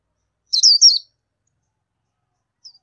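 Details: A single brief cluster of high, wavering tweets from an Indian white-eye, followed two seconds later by one faint, short chip.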